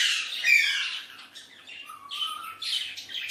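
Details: Hand-tame pet Alexandrine parakeet playing with a mirror indoors; harsh raspy squawks with a short whistled rising note, then a long low whistle and further scratchy chatter.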